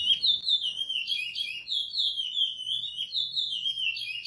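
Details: Praia-style song of a chestnut-bellied seed finch (curió pardo) used for teaching young birds. Smooth, flowing whistles sweep up and down in long connected phrases at moderate volume.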